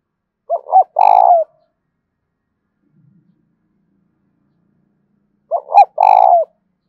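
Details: Two identical spotted dove coo phrases about five seconds apart, used to make a decoy bird coo. Each has quick paired low notes and then a long, buzzy, throbbing coo, with near silence between.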